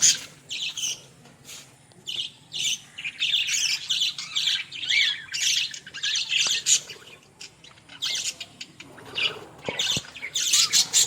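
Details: Australian parrots calling in a busy group, with dense, overlapping high squawks and chirps in quick bursts that continue throughout, separated by brief pauses.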